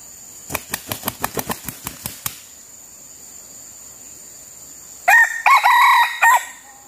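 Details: Red junglefowl acting as a decoy to lure wild birds. A burst of around ten sharp wing-flapping claps comes first, then silence and a loud, broken multi-part crow with bright harmonics. A steady high hiss runs underneath.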